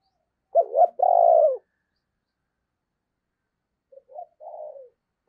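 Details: Decoy spotted dove cooing: a loud rising double note with a long buzzy coo, more than two seconds of silence, then a soft three-part coo that falls away.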